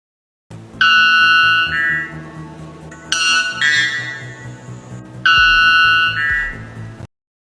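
White Bellbird: three very loud, metallic, horn-like blasts, each a two-part note stepping up in pitch, about two seconds apart, over soft background music.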